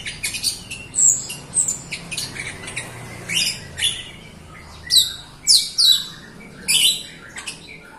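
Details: Jalak Rio myna singing as a training lure for other birds: a rapid string of harsh chattering and squawking bursts, denser toward the end, over a noticeable rumbling background.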